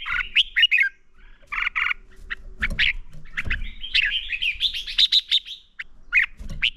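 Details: Lure red-whiskered bulbul fighting song for training captive birds, sounding as tangled warbling phrases of chirps and slurred whistles, dense and overlapping in the middle, with low thumps underneath.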